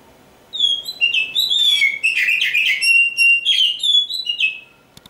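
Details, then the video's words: Song of a champion oriental magpie-robin: a bright, continuous stream of varied whistles, slurred notes and scratchy trills, high and rapidly changing, lasting about four seconds before stopping. "suara burung kacer juara"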